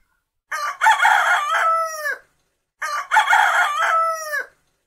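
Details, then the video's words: A rooster crows twice, each crow a harsh multi-part cock-a-doodle-doo about two seconds long, ending in a drawn-out falling note, with a short pause between. "Rooster Sound"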